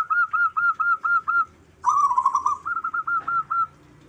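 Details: Local zebra doves calling back and forth: a run of short, mellow whistled notes, then a louder rolling, quavering trill, followed by more quick repeated coos that fade out.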